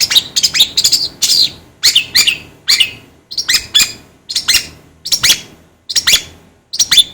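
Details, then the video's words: Long-tailed shrike sound meant to rouse other shrikes: grating, screechy double and triple notes in spaced bursts, roughly one burst per second, sharp and high throughout. "DENGAR SUARA INI CENDET JADI ON"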